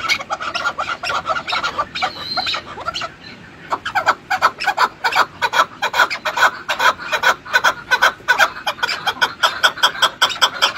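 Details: Chukar partridge giving rapid, rough chuk-chuk notes that pause briefly after two seconds and then resume louder and quicker.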